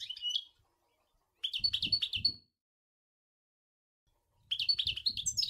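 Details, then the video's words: European goldfinch, Sour El Gouzlane, giving short bursts of sharp chirping twitters a few notes long, separated by silences, with soft low knocking sounds beneath. "Chant Chardonneret sour el gouzlane"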